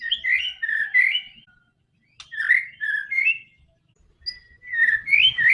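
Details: White-rumped shama singing, played to coax a silent bird to sing: short warbling whistled phrases in three bursts with gaps between, a sharp click near the middle.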